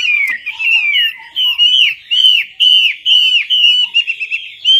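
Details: Chinese hwamei (melodious laughingthrush) lure song meant to set a silent bird singing: about ten loud, ringing down-slurred whistles in a steady series, closing with a quick little trill.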